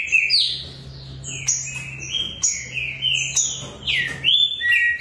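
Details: Two competition Green-winged Saltators from a breeder, kept as singers and contest birds, sing loud, rich whistled phrases, some sliding down and others up, overlapping almost without pause, with a low steady hum behind them.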